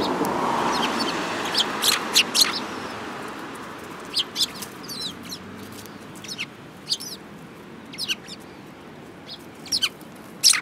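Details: Sparrows recorded on 29 January 2018 give sharp, separate chirps every second or so, sometimes doubled, after an opening of louder noise, with a steady hiss beneath.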